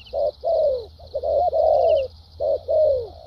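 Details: Spotted dove, a decoy bird with a well-structured voice, cooing in the thúc gù and lèo dặm styles: low hoarse coos with drawn-out, downward-sliding notes in paired bursts. A steady high hiss runs underneath.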